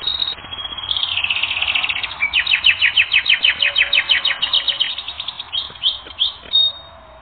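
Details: Canary singing on a training recording: a thin high note opens, then a fast rolling trill gives way to a steady run of sharp, evenly spaced chirps, about five a second, ending in a few looser whistled notes.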